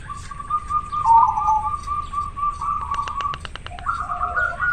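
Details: Local zebra dove in strong breeding condition, singing actively with a very clear natural voice: soft rolling cooing trills, then a quick series of sharp staccato notes, and a higher rolling phrase to finish.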